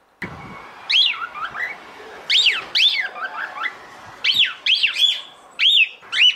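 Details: Calling female cockatiel addressing a male, sharp arched whistles repeated in bursts with softer lower chirps between them, over a faint hiss of background noise.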